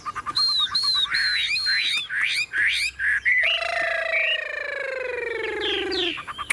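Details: Caged, tame Chinese hwamei in full song: repeated high slurred whistles and quick twisting notes, followed by a long steady rich tone lasting several seconds.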